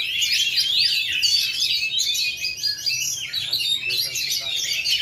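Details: Indonesian caged Oriental magpie-robin with a ring, failed moult for two and a half years, performing at full power: a rapid, varied stream of sharp whistles, rolling trills and mimicked chirps, steady and loud throughout.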